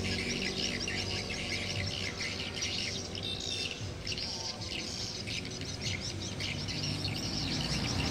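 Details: Swiftlet sound test at a house in Trảng Bom, Đồng Nai: a dense, overlapping chorus of rapid high chirps, almost two a second, over a steady low rumble.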